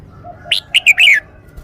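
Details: Red-whiskered bulbul delivering a short, clear song phrase: a sharp upward note followed by two quick whistles and a longer, wavering, falling whistle, with faint low cooing behind.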